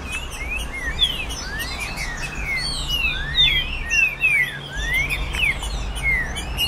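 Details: Trinca-ferro, the green-winged saltator, singing in the virada caratinga style meant to excite caged tournament birds; many clear whistled glides, some falling and some rising, crowd together over a low steady hum.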